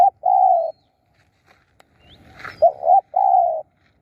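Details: Decoy spotted dove luring wild birds: two drawn-out level coos, one preceded by a stuttered double note, with a brief burst of rustling noise in the pause between them.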